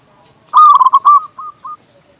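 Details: A single loud phrase from a local zebra dove, used as lure and tutor song: a rapid stuttering run of coos, then two softer spaced coos trailing off.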